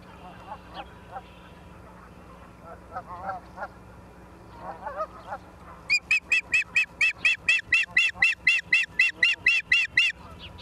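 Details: Osprey at a nest in Charlo, Montana, 28 September 2023 at 17:45: after six seconds of lower honking calls, a loud run of about seventeen sharp, high, whistled chirps repeats rapidly and evenly.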